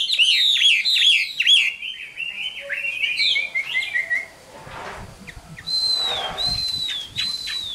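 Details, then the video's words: Wild-caught adult Chinese hwamei in a cage pours out a fast tumbling string of whistled notes, breaks briefly with rustling, then gives long level whistles that dip at the ends. "Tam Hoàng, Tố Chất Giọng Hay. Chim Chuẩn Già Rừng"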